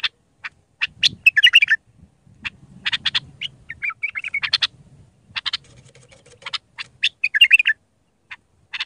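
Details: Mandali-style Iraqi bulbul song meant for training young bulbuls: clicks and fluty warbled phrases, with a low rumbling background hum throughout.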